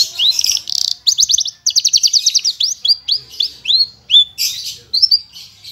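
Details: Branjangan parva, a Javan bush lark, sings clear full isian with nembak bursts: rapid bright trilled notes, then a run of high down-slurred whistles and a few rising chirps, with no other sounds.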